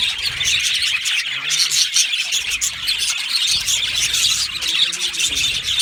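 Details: Australian budgies in an aviary colony, recorded 15 July 2025: continuous high chirping and warbling from many birds, with a faint voice-like murmur underneath in places.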